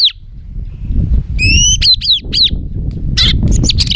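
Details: White-rumped shama giving a rough, agitated song meant to quickly provoke other birds: loud downward-slurred whistles and sharp hooked notes over a low rumbling background.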